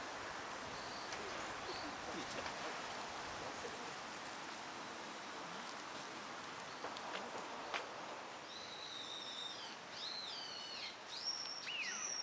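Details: Eurasian wigeon, a winter visitor to Japan, at Junsai-ike green park, Chiba, in March 2025, giving a run of clear, high whistles, some falling in pitch, over a steady hiss of background noise.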